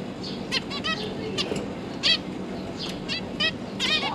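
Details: Zebra finch family with three recently hatched young being fed by both parents, October 2022: scattered, fairly soft nasal calls at irregular intervals over a constant background hum.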